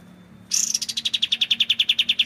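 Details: Kapas tembak, or white-shouldered triller, firing a single clear burst: a buzzy opening note followed by about fifteen crisp, evenly spaced high chips at a steady fast pace.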